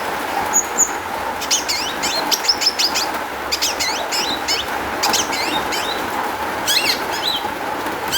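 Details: Long-tailed shrike song played as a lure to make other shrikes sing: rapid varied chattering phrases of sharp, high, rising and falling notes in dense bursts over a steady background hiss.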